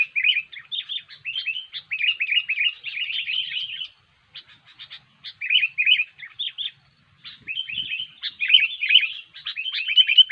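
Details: Sooty-headed bulbul singing gacor, cengkram style, as lure material for trapping: dense rolling bursts of chirpy warbles, broken by two short silences, loud and clear with little background.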